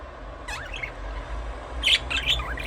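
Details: Budgerigar chirps: quick warbling notes that bend up and down, a softer pair first, then a louder scratchy cluster of rising and falling twitters, with low background hum.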